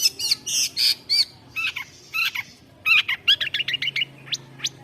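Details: Long-tailed shrike in a varied song of harsh buzzy notes and squeaky whistles, delivered in rapid bursts that speed into a fast chattering run near the end.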